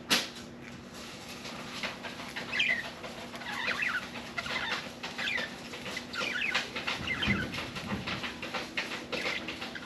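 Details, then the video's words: Pet budgerigar chattering almost nonstop in scratchy, buzzy warbles mixed with clicks and rustling, recorded indoors with a steady background hum. "Budgie Sally Bird Wants to Talk"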